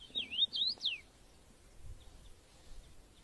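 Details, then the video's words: Common rosefinch singing in the UK, field recording: a short clear whistled phrase of three or four rising and falling swoops in the first second, then only faint distant ticks and soft low rumble. "Common Rosefinch UK Birds. Bird Song"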